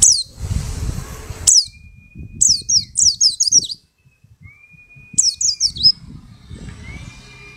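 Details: Caged white-eye picked from a crowded dealer's cage, singing actively after two weeks: quick runs of thin, high, downslurred chirps in bursts, with a steady mid-pitched whistle-like tone held about a second between them and a noisy rumble at the start.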